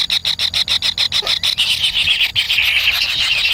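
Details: Kingfisher chicks begging in the nest for food from their parent: rapid, evenly spaced high buzzy pulses for about a second and a half, then merging into an unbroken harsh, slightly falling buzz.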